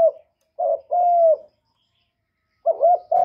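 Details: Spotted dove cooing as a call to draw other doves. A brief clipped coo leads into a stuttering note and one long, steady, mellow hoot. A second similar phrase begins after a silent gap.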